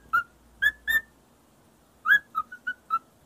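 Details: Parrot kept as a pet whistles a learned tune to a feather duster; three spaced clear notes, a pause, then a quick falling run of five whistles, like the rhythm of shave and a haircut.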